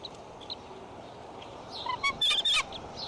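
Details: Adult female bald eagle guarding her nest at Decorah on 15 April 2012, scolding after the male was alerted and flew off. A brief burst of loud, high, harmonic chattering notes comes near the end, over quiet background hiss.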